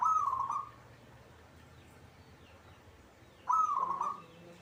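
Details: Local zebra dove kept in a cage and singing often. It gives two rapid purring, trilled coos, each under a second long, separated by about three seconds of quiet background.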